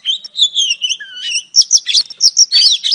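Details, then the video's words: A female oriental magpie-robin lures a male with a drawn-out wavering whistle that dips low, followed by a string of bright, clipped chirps in quick succession. "KICAU KACER BETINA AMPUH PANCING KACER JANTAN LANGSUNG GACOR"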